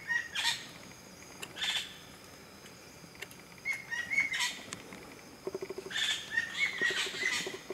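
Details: Common green magpie at Satchari National Park, Bangladesh, giving harsh, rasping bursts mixed with short, clear whistled notes, in uneven clusters a second or two apart, louder toward the end.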